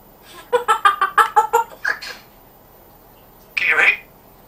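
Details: Talking pet African grey parrot with a Yorkshire accent: a rapid run of about eight short syllables like quick chatter, then after a pause one louder rough vocal burst, indoors.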